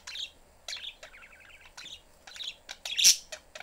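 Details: Caged pet budgerigar family with the door open, the young one after attention. Short chirps spaced through, a buzzy warbled phrase, and one loud harsh squawk near the end.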